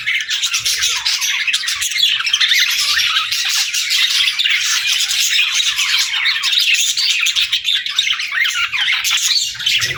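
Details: A flock of pet budgerigars keeps up a dense, unbroken chorus of buzzy chirps, rapid warbles and harsh squawks throughout the ten seconds, with no other sounds standing out.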